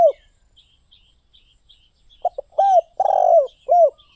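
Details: Spotted dove: after a single arched coo and a quiet gap with distant chirps, a quick pair of short notes leads into a coo, a long buzzing croo and a final rounded coo.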